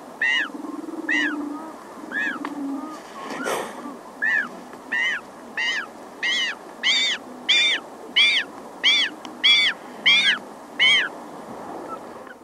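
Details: Close-up cries of a very small Magellanic penguin chick, with adults hissing aggressively and the colony far off. A brief noisy burst, then a steady run of about fifteen ringing, arched nasal calls, under a second apart.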